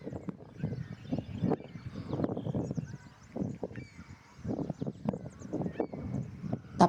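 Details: Several Trumpeter Swans at Tommy Thompson Park, Toronto, on a cold April spring day, give deep, nasal, horn-like honks overlapping in uneven bursts every second or so, with quieter gaps between.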